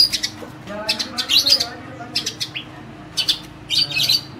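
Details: Tame long-tailed shrike singing in short bursts of mimicked song: clustered high scratchy chirps and trills, pauses between bursts, faint low murmur underneath.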